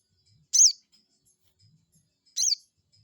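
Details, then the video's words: Crested jay giving a rival-baiting call: two loud, harsh high-pitched chirps about two seconds apart, with faint low sounds in between. "pancingan burung sogon bikin emosi lawan,,bikin lawan langsung nyaut"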